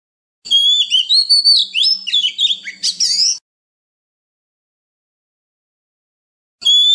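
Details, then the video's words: {'caption': 'Oriental magpie-robin singing in a wild-type voice, used to train young birds and prompt newly caught birds to sing: a three-second run of clear, varied whistled notes rising and falling, silence, then a fresh phrase begins.'} "Luyện giọng chim non kích chim bổi hót mỗi ngày với giọng rừng cực chuẩn | Kích Choè Than Hót"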